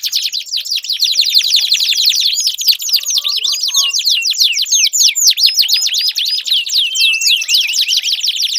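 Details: Long, continuous canary song used to coax a canary that has stopped singing: fast dense rattling trills with sharp downward-sweeping whistles, several abrupt changes of tempo, no other sounds.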